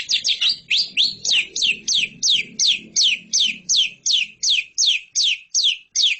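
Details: Lovebird in a masteran tutor recording for competition birds, giving loud, sharp, downward-sweeping chirps repeated steadily about three times a second, with faint low murmuring beneath.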